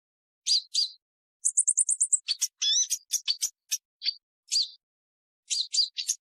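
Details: Purple-throated sunbird: doubled chirps, then a rapid series of about eight high ticks, followed by a jumble of sharp, rising and falling squeaks and further paired chips.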